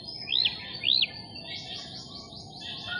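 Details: Striated grassbirds calling beside the Marikina River on March 20, 2022: two loud arched whistled notes, each rising then dropping sharply, followed by a softer run of quick repeated high notes over a steady low background hum.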